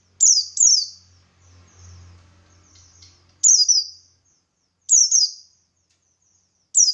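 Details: Buxtoni white-eye calling in ngalas style as an answer-provoking lure; crisp high downslurred chirps in pairs and singles, with a brief low rumble of background noise early on.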